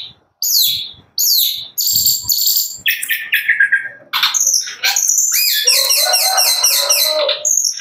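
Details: A young long-tailed shrike, about six months old with juvenile wing feathers and a competition bird, pours out a fast, varied song of high chirps, harsh notes and rapid mimicked trills with barely a pause.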